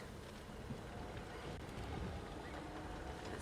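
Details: A low, even engine drone with a broad hiss runs throughout, and no animal call stands out.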